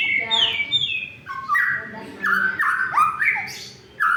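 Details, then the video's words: White-rumped shama song used to stir silent shamas into singing and to provoke rivals: varied whistled phrases, some sliding down and some rising, delivered in bursts with short gaps and a faint low murmur underneath. "suara untuk memancing murai yg macet bunyi"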